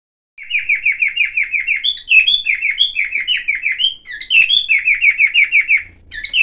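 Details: Silver cockatiel singing indoors, making various sounds: fast series of chirpy notes repeated about three per second, interspersed with rising whistled phrases, bright and clear with no other sounds.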